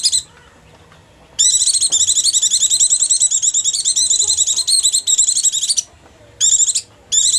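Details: White-eye lure call for attracting wild birds, a long rapid high-pitched buzzy trill lasting over four seconds, then two short bursts after brief pauses; quiet background between.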